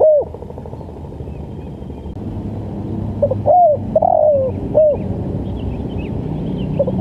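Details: Spotted dove calling in the 'lambung kuk' style, a recording used for training and luring birds: after a quiet stretch of low background rumble, one phrase of short notes and a sliding coo.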